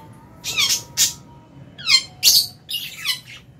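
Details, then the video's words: Lovebirds in an aviary colony at meal time in January, with albino, Fisher's and lutino birds and a budgie eating at an iron table; sharp, harsh high chirps in short bursts of two or three, with gaps between. "Lovebird Chirping Sounds"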